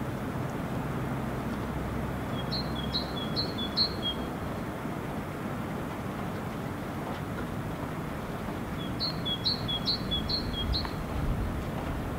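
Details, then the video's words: Great tit, unseen, in Helsinki, Finland, February 2016, singing a two-syllable song: two bursts of four or five high, clear repeated two-note phrases, separated by several seconds, over loud low rumbling traffic-like background noise. "Great Tit song of two syllables"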